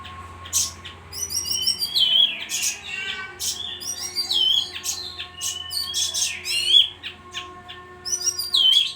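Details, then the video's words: Bayeman singing constantly, a lively run of high whistled notes, rapid trills and sharp chips that keep recurring, with a low steady hum behind. "suara burung bayeman gacor"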